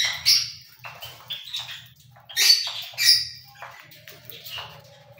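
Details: Cockatiel screeches, one loud burst near the start, a pair of strong harsh squawks in the middle and softer chatter between, with a low mechanical hum throughout.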